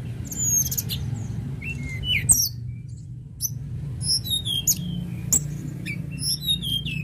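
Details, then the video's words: Tledekan gunung in full song: rapid series of high whistled notes and chirps, briefly pausing midway, over persistent low-pitched background noise. "Tledekan gunung gacor"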